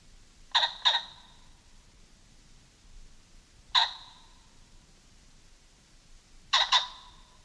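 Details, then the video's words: Pheasant giving harsh, ringing double notes, then a single note, then another quick pair, spaced a few seconds apart against a quiet background. "pheasant, faisant"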